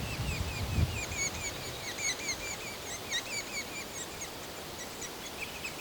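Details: Red-naped Sapsucker nestlings in a cavity nest in a quaking aspen beg for food from parents delivering insects, a steady chorus of short, high chirps, about two or three each second, over a low rumble of wind.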